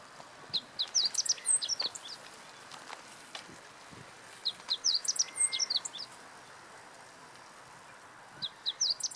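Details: Meadow bunting singing at Teganuma, Japan, April 2017; three bursts of rapid, high, sharp twittering notes, each about a second long, separated by pauses of several seconds, with a thin longer whistle and light background hiss.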